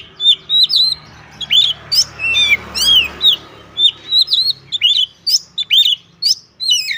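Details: Oriental magpie-robin (kacer) singing vigorously in 'gacor ngobra' display style, pouring out its learned repertoire: dense bursts of sharp whistled and rattling notes, some slurred downward, repeated about once a second over a low hum.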